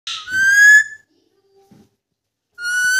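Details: Pet Indian ringneck parakeet in a whistling contest with its owner: a short rough burst, then a loud rich whistle held level for about half a second, then silence before another whistle begins near the end.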